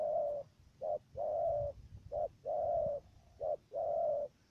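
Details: Decoy dove used for dove trapping in Cà Mau, Vietnam, cooing loudly and steadily: alternating short notes and long even hoots, about seven in under five seconds, over a low rumbling background.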